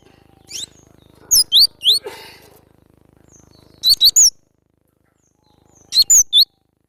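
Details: Cinereous tit singing, from a training recording for cage birds: brief high whistled phrases of two or three clipped, upslurred notes, given in three bursts separated by pauses of about two seconds, with faint background hum.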